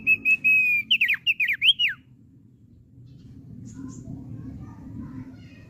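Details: A cared-for Thick-billed heleia whistles several flat, drawn-out notes, then switches to a quick series of zigzagging slurred notes; afterward only low background rumble is heard.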